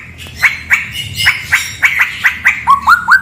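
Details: Straw-headed bulbul from a cave: a series of spaced, bright upward-sliding notes roughly every quarter second, ending in quick stepped whistles, with a low rumble in the background.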